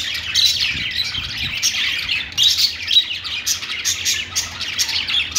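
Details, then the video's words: Several budgerigars chirping in a pet store: continuous high twitters and thin whistled notes, overlapping busily, with a few faint low knocks. "budgies calling sounds | parakeet chirping sounds in pet store"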